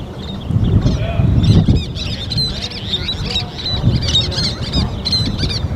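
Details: Least terns feeding their chicks: sharp high chirps and short notes come in a loose series from the middle of the clip onward, over heavy low rumbling wind or handling noise.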